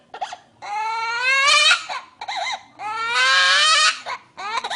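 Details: Green parrot imitating a human baby's cry: long wailing, harmonic-rich sobs rising in pitch, broken by short hiccuping whimpers, while a woman speaks soothingly in Spanish.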